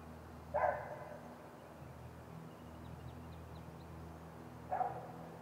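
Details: Two brief, yelping notes from a great gray owl at the nest, spaced roughly four seconds apart, with faint high chirps between them and constant low background rumble.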